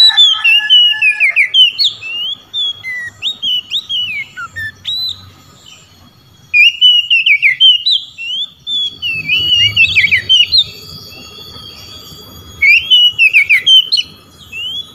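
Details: Loud ngeplong song of an Oriental magpie-robin challenging rivals, which answer: repeated bursts of bright, varied whistles and quick trills, some notes swooping sharply, with brief pauses and faint low background noise between phrases.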